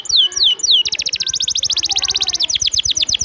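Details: Canary song used as training material for other birds, with three loud downward-sweeping whistles followed by a fast, rattling trill of sharp high notes repeated several times a second.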